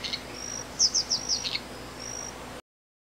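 Streak-capped Antwren: a very high, thin series of quick chipping notes with faint level whistles before and after, over quiet background hiss.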